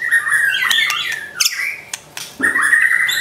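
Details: White-rumped shama training song in trotol style, meant to make a pet shama quick to anger: harsh squawky notes mixed with fast whistled phrases, broken by sharp clicks and a short gap.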